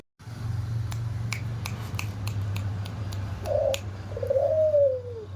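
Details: White albino red-eyed Barbary dove with a hoarse voice, mostly quiet at first amid scattered clicks and a low hum, then a brief rough trill and one long husky coo gliding downward near the end.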